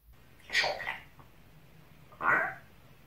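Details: Talking pet parrot cursing at its owner in a room: two rough, hoarse squawked syllables about one and a half seconds apart, over a low steady hum.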